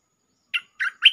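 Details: Three separate rich, gurgling bulbul notes spaced about a quarter second apart, the last one brighter and higher, from a lure song recording.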